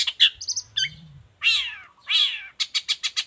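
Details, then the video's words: Singing long-tailed shrike, a model for other shrikes: high mimicked chirps and trills, two long, loud, harsh, descending rasping notes, then a rapid even series of sharp clicks. "Cendet gacor cocok buat masteran juga pancingan cendet lainnya"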